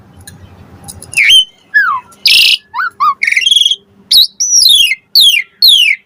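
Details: Lure song of an Asian pied starling (jalak suren) for provoking other birds to respond: after a faint low murmur, loud varied notes, falling whistles, a harsh noisy burst, clicks and rapid descending slurs follow one another.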